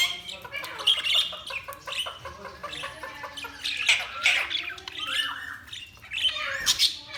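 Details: Budgerigars chattering: dense, busy warble of short squawks, clicks and brief whistled glides, many notes crowding together with small pauses, lively and continuous throughout.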